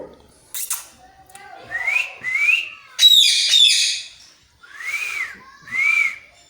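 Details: Parrot producing cat-like meows: two rising whistles, a loud rough buzzy burst, then two arched whistled notes that rise and fall, with short pauses between them.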